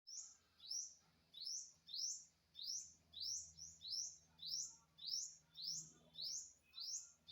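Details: Unidentified bird recorded September 27, 2022, giving short, bright, upward-sweeping chirps, often doubled, repeated steadily about every 0.6 seconds over a faint low hum.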